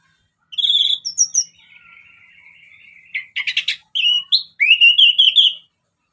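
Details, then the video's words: Orange-headed thrush singing as a lure: sweet high whistles, a long thin trill, then a burst of scratchy buzzy notes followed by rising warbled whistles. "Kicauan Anis Merah Bikin Emosi Dan Gacor"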